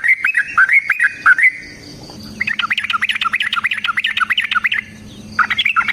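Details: Sooty-headed bulbul singing a long rapid fighting song to provoke answers from other bulbuls: a few looping whistles, a short pause, then a fast, dense chatter of bubbly notes lasting over two seconds, then whistles again.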